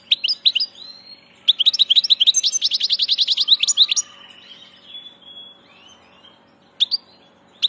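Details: European goldfinch, a 'del paso' (passage) bird, opening with a few chirps, then a long rapid tinkling trill of evenly repeated notes, fading into soft twitters and isolated calls.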